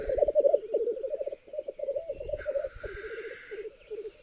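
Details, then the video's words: Black grouse at a lek with females, in a raised bog in Berezinsky Biosphere Reserve where up to 30 males and 20 females gather. Ten females cluster near one male. Steady low bubbling rookoo, rapidly pulsed, with faint hissing higher sounds mid-way. "Десять тетёрок на одного петуха! Уникальный тетеревиный ток на заповедном болоте"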